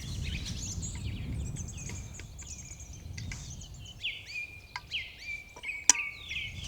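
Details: Song thrush phrases of bright, repeated whistled notes, about 10–20 m away, over a busy spring-migration morning chorus in a Norwegian forest, with a redwing singing alongside and a low rumble.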